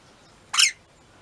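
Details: Loud scream from pet rainbow lorikeets kept at home: a single harsh, raspy burst of about a quarter second, very broad and noisy, rising sharply then cutting off, with quiet room background before and after.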